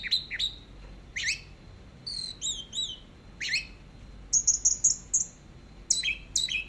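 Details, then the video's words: Orange-headed thrush, teler style, long masteran recording: scattered sharp downslurred notes and twangy chirps, then a rapid series of short high piping whistles, then more clipped chirps. "Masteran BURUNG ANIS MERAH TELER DURASI PANJANG"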